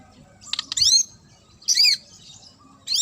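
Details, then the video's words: Murai (magpie-robin) with a sharp song to make other birds answer: high, harsh, buzzy chirps in short bursts separated by pauses of about a second. "DIJAMIN Langsung NYAUT dan NGAMUK Pake Suara TAJAM Murai ini"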